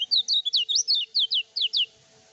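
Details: Energetic lemon-bellied white-eye singing without doping, a recording meant to stir rival birds and serve for song tutoring. Quick sequence of high, sweeping whistled slurs, about a dozen notes in under two seconds, then silence.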